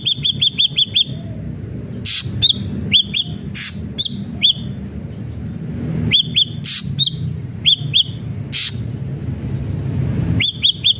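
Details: Ashy drongo singing actively; opens with a rapid string of five hooked whistles, followed by spaced single whistles interleaved with harsh, clicking bursts.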